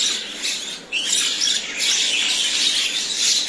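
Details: Common myna (Acridotheres tristis), call.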